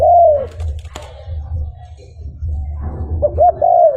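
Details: Cooing of a spotted dove from a recording used to draw in wild birds. One drawn-out falling coo opens, a quiet gap follows, then a pair of short hoots leads into another long coo, with a constant low rumble beneath.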